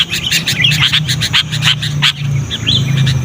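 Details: Persistent call of a sooty-headed bulbul for luring wild birds and training caged ones: a rapid run of sharp chirps that trails into softer notes, over a steady low hum.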